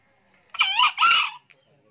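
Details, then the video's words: An old green junglefowl crowing often gives one short, harsh two-part crow: a rich, buzzy first note, a brief break, then a louder, slightly lower second note, all within under a second. "ayam hutan hijau pak tua rajin kokok"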